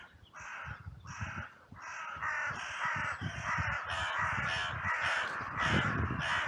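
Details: Many crows cawing together in a massive outcry at a cemetery on a sunny day, after two crows fought briefly and others rushed in from all directions; harsh, overlapping caws in rapid succession, nearly continuous, with low thumping noise beneath.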